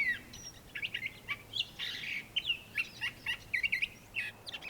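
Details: Western Tanager singing short, hoarse, burry robin-like phrases, like a robin with a sore throat, in quick succession at fairly high pitch; spring migrant at Bosque del Apache refuge, New Mexico, where it does not breed.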